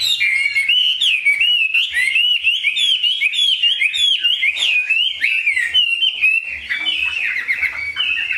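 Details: Chinese hwamei kept in a cage, pouring out a fast, continuous song of looping whistled phrases, bright and varied, with hardly a pause over eight seconds.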